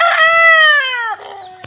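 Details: A large local (desi) rooster, the best of its flock, crowing repeatedly at the camera: a loud, harmonic crow, held steady and then dropping off at the end.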